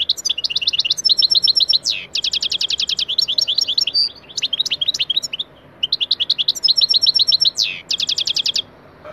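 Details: Goldfinch singing for a song-training lesson, real recording: dense, fast liquid twitters in long runs, trills of rapid repeated notes broken by brief downward-slurred buzzes, nearly continuous.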